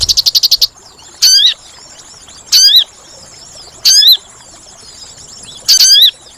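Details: Sooty-headed bulbul lure for trapping: a quick rattle of high pulses opens, then four loud swooping calls at uneven intervals of one to two seconds.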